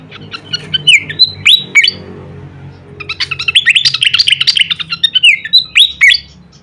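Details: On a songbird training recording, a pied fantail alternates loud swooping whistles with a long rapid series of bright chirps, closing with more falling and rising whistled notes over a faint hum.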